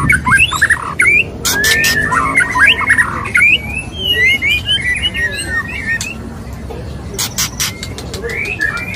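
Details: White-rumped shama male courting a female sings fast runs of sliding whistles and chattering notes, then pauses between loud sharp click bursts and a few softer whistles.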